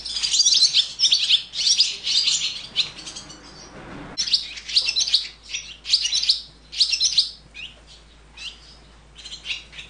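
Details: Swallow chicks in the nest being fed, begging: loud, shrill twittering in dense bursts for four seconds, then repeated shorter high chirping bursts, some with clear rising and falling whistles.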